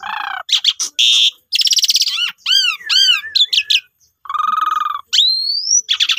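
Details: Asian pied starling singing to provoke rival starlings: a mix of nasal low notes, harsh rattling bursts, repeated arched whistled slurs and a long upward-sweeping whistle, all loud and varied.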